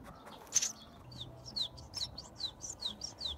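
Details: Eurasian tree sparrow nestlings in a hole in a house roof, with both parents flying in and out with food, give thin, high, downslurred cheeps about three per second, with a sharp click near the start and a faint low hum.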